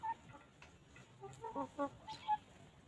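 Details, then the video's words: Free-range hens walking and pecking at fresh grass on a farm give short, soft, tonal clucks in a loose run of five or six notes over low background hiss. "Chickens Pecking and Clucking"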